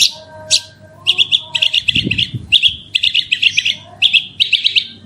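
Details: Singing branjangan, the Horsfield's bush lark, in the 'super roll' style: short buzzy trilled bursts repeated in quick groups, each a rapid rattle of notes, with a soft low hum in the background.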